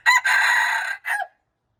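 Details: Loud junglefowl crow from March 19, 2025: a short sharp opening note, a long raspy sustained note that slowly fades, then a brief falling final syllable, followed by silence.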